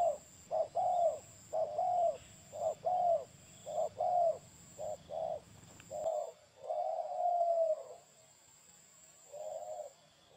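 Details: Spotted dove cooing: soft, low, hollow notes, given singly or in pairs and repeated at uneven intervals, with a longer, drawn-out coo near the end and a quiet pause before a final short phrase.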